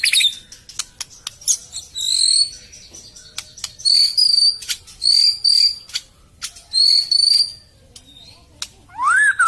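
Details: White-rumped shama song used as a lure: clear, high whistled phrases held steady and slightly wavering, alternating with sharp dry clicks and ticks, ending with a rising then falling slurred whistle.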